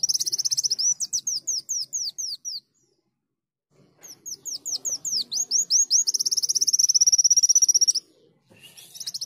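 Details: Greater green leafbird (Chloropsis sonnerati) in bright, high, canary-like mimicked song: a quick series of sharp downslurred chips, then a long rolling trill, with a pause midway and faint background noise.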